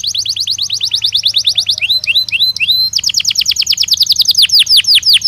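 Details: Belgian canary song for daily canary training: fast rhythmic trills of down-sweeping notes, a short run of separate upward whistles, then resumed rapid trilling, over a low steady hum.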